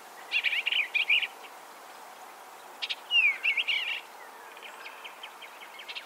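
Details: Eastern Bluebird at a nest-box site on a 95-acre farm of upland forest, swamp and meadows in Ontario gives two soft, warbled phrases of short whistled notes at mid-high pitch, separated by a pause, over faint hiss.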